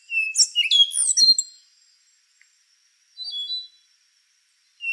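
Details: A thrush, the endangered rufous-brown solitaire, delivers a rich jumble of high ringing whistles and slurred notes, pauses, gives a short softer phrase, then starts a pure whistle.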